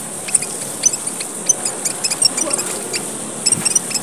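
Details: Red munia, among Papua's smallest birds, heard as a lure: brief high-pitched chips and squeaks at irregular spacing over a persistent shrill hiss.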